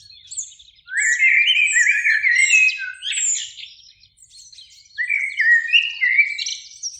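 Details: In a spring beech tree by a lake at sunset, one of two Eurasian blackbirds pours out a long mellow fluted phrase with shrill twittering overtones, pauses, then sings a further melodious run.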